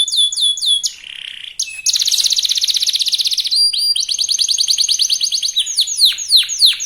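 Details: Young local canary pouring out rapid song as a lure for rival singers; slurred whistles and a nasal buzz lead into long, quick trills, finishing with sweeping down-slurred notes.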